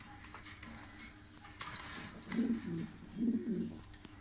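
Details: Blue bar-less Lahore pigeons from a breeding pair, giving two low, soft, throaty coos about a second apart in the second half, each rolling and slightly wavering, over steady indoor background hum and scattered clicks and clatter.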